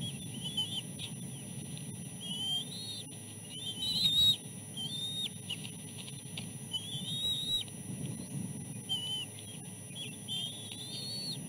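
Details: Nest chicks begging during a fish feeding while the oldest competes with two siblings; thin whistled calls, rising and wavering, in short bursts with brief pauses, over a low steady rumble.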